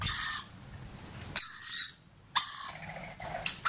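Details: A young rainbow lorikeet, newly brought by an adult one morning near the Gold Coast, Australia, gives harsh, high squeaky begging notes in three short bursts, each about half a second long, with brief pauses between.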